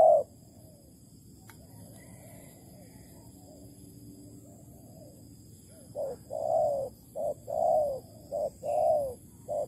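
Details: Spotted dove in Malaysia, filmed during decoy trapping on 11 August 2020; several seconds of quiet background hum, then a run of mellow cooing notes, short and long hoots alternating in the final stretch.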